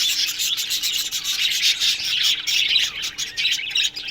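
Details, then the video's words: Australian budgies in an aviary colony chirping in the morning, a thick, rasping blanket of high warbles and scratchy chatter from many birds, almost unbroken. "Budgies Morning Chirping Sounds"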